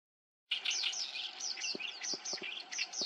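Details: Black-browed reed warbler in breeding season in Japan, a summer visitor: a rapid, continuous chattering song of scratchy high notes and short clicking phrases, with a few low thumps in the background.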